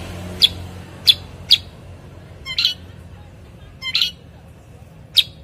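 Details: A bulbul called cucak kurincang gives crisp high chirps, some single and some doubled into slightly longer buzzy notes, at irregular gaps of under a second to over a second.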